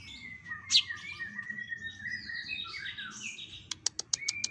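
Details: Birdsong from a compilation of other species used to train contest birds; a long, high warbling whistle with sliding notes, ending in a rapid burst of sharp clicks.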